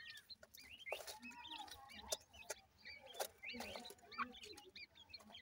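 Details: Grey francolin babies from Punjab, Pakistan, calling in thin hooked peeps that rise then drop, many per second at times, over scattered tapping noises and a soft low rumble.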